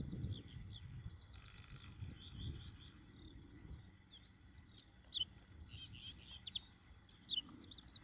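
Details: Bluethroat (Luscinia svecica) singing in June 2021: a varied run of high twittering, buzzy and ticking notes with rapid repeated phrases, over low wind rumble.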